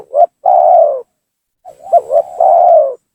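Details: Spotted dove lure call used to provoke rival doves into coming down: low soft cooing phrases, a short coo then a longer drawn-out one, a pause, then a rolling triple coo ending in a long note.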